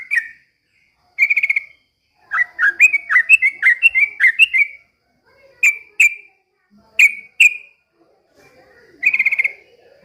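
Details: Trucukan, caged and in full lively song, mimicking white-rumped shama: loud clear whistles delivered in short bursts, one fast rippling series of rising slurred notes mid-phrase, then separated single and doubled whistles with brief silences between.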